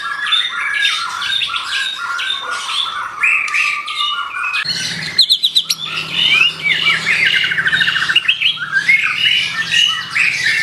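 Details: White-rumped shama singing energetically, a dense run of varied whistles, rapid chattering trills and sharp high notes, with a brief pause and low hum near the middle.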